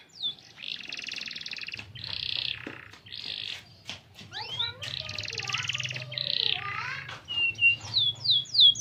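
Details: Canary song used as a lure to prompt other canaries to sing: varied high phrases of buzzy trills and rapid rolls, some sliding notes, ending in a run of sharp rising chirps; faint low hum underneath.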